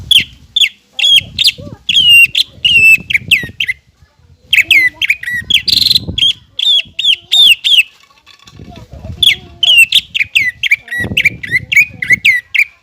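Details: Long 'gacor' performance of a greater green leafbird used to prompt untrained birds into song: sustained runs of ringing, hooked whistles, occasional harsh rasping notes, short pauses, and intermittent low rumbling background noise.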